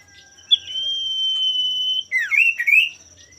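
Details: Male common iora singing to provoke rivals into singing: a long sustained whistle held level for about one and a half seconds, then a quick burst of rising and falling whistled notes; a steady high insect drone runs behind.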